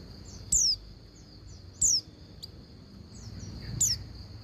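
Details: Female Oriental white-eye calling for a male: three crisp descending whistles roughly every one to two seconds, plus faint chirps and a click, over a constant high-pitched tone.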